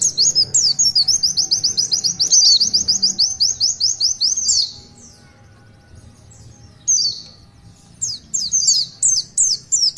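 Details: Oriental white-eye, a caged bird in full song, giving a long run of rapid high thin chirped notes for about four seconds, a pause, then a single sweep and further bursts of quick high twittering.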